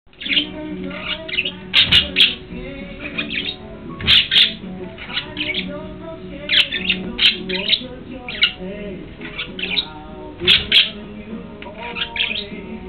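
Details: Two female budgerigars, sisters, recorded 13 December 2009 around midday, keep up a busy stream of warbling chirps, clicks and sharp squawks.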